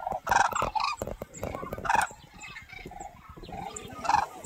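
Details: Red-crowned cranes flying in line over the Cheorwon plain, Gangwon Province, South Korea, give loud, rolling trumpeting calls in bursts about two seconds apart, with softer overlapping calls from other birds in the flock.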